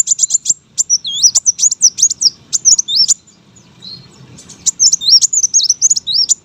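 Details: Rapid, high-pitched wavering whistles from a competition brown-throated sunbird, delivered in long runs with a one-second pause midway, over a soft low background hum.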